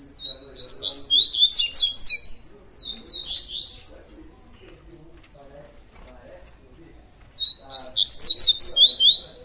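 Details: Tui tui style song of a double-collared seedeater: two bursts of rapid, high, ringing whistled notes, each a few seconds long, separated by a quiet stretch with soft low murmuring.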